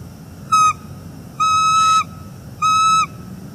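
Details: Wild bald eagle pair calling back and forth at a northeast Florida nest, morning of 29 September 2021, after a refused mating attempt; three steady, ringing whistles of uneven length, the middle one longest.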